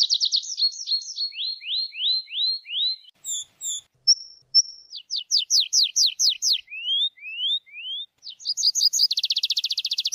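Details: Tree pipit song with a long series of descending slurred notes, short pure whistles, steep sweeping notes and rising whistles, finishing in a very fast buzzing trill.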